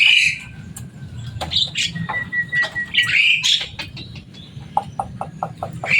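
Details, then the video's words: Loud, noisy pet Javan myna produces scattered squeaks and thin whistles, one long flat whistle in the middle, then a series of short evenly spaced ticking notes near the end, over a low hum. "Burung jalak kebo selain suaranya yang rame ada kelebihan nya bisa bicara"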